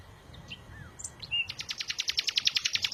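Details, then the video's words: A few soft, thin whistles, then a bird bursts into a rapid, steady trill of bright high notes, repeated many times per second until the end. "إذا كنت تعشق سماع تغريد العصافير"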